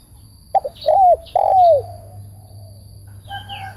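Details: Decoy spotted dove for trap-cage luring gives one phrase: two short notes and two long falling coos, then high chirping from another bird at the end.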